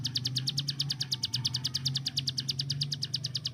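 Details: Hill prinia, a tutor bird for training songbirds, fires off its fast 'tembakan' song, a continuous rattle of bright high ticks at a quick even pace, with steady low humming noise underneath.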